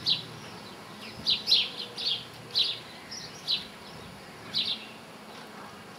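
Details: Linnet singing a series of bright, high twittered chirps in irregular bursts, some notes doubled, over a faint steady background hiss.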